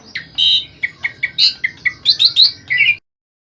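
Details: Asian pied starling song meant as mastering audio: a stream of short harsh squawks and chirps, some high and whistled, about three per second, ending abruptly.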